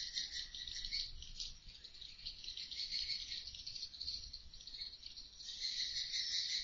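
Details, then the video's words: Natural swiftlet voices inside a four-by-twelve-metre, two-storey bird house, caught on interior CCTV: steady rattling, buzzy chatter from many birds, swelling and fading, briefly quieter mid-clip and rising again near the end. "dengarkan suara asli walet lg ngobrol"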